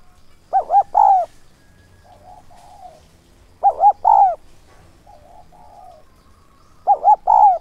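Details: Decoy spotted dove with a 'son' voice in 'thúc' and 'gáy gọi' calling style, used to lure wild doves: phrases of two quick arched coos then a longer, drawn, falling coo, repeated about every three seconds, with soft low cooing between.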